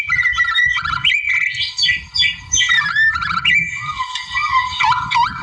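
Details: Wild white-rumped shama singing to challenge a rival: dense mix of whistled notes, harsh scratchy bursts and lower warbling phrases, ending with wavering lower whistles over a low background rumble.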